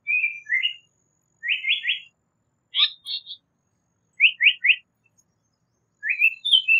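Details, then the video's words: Japanese paradise flycatcher singing: short phrases of clear whistled notes around the upper-middle pitch range, some rising, given in quick groups of two to four every one to two seconds, on a silent background. "Japanese Paradise Flycatcher Call / Sound / Song"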